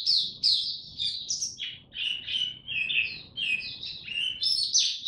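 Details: Oriental white-eye kept as a songbird, ramping up form in buka tiong singing: bright, high warbled notes, some sliding down and others rising, strung into a lively, unbroken phrase.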